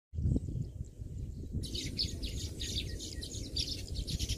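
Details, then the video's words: Baya weavers calling. After a quiet opening second and a half, dense high chirping chatter from several birds starts and continues steadily over low rumbling background noise. "தூக்கணாங்குருவியின் ஓசைகள் | Sounds of Baya Weaver Birds"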